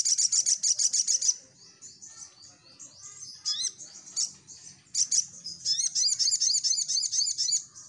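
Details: Crimson Sunbird in energetic song, used to make birds respond: a fast series of high buzzy pulses, a stretch of softer thin twittering, then lively repeated upswept chirps and trills.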